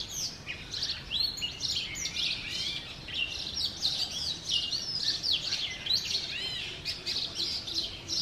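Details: Male Oriental magpie-robin singing in the morning in front of a home in Sialkot, Pakistan: a steady, varied run of high whistles and sweet chirps, some rising and falling, with other birds' twittering overlapping throughout.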